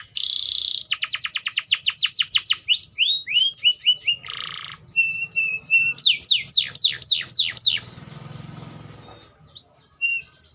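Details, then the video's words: Atlantic canary pouring out a rapid trill of sharp descending notes, chattering phrases with a brief harsh burst, another run of downslurs, then softer scattered notes. "THE SOUND OF THE CANARIA SERINUS ORIGINAL SOUND LIKE IN THE WILD"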